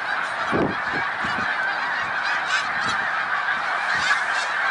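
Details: Continuous honking from a large snow goose flock at Middle Creek Wildlife Refuge in Pennsylvania on March 1, 2021, with a few low thumps early on beneath the steady chorus.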